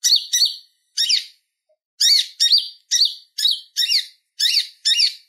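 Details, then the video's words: Purple-throated sunbird singing a clear, lively chatter meant for training other songbirds: sharp, high twittering notes that dip and rise, given singly or in quick pairs about once a second, with short pauses between. "Suara Ocehan Konin Gacor Tajam Ampuh Buat Masteran Kolibri Ninja"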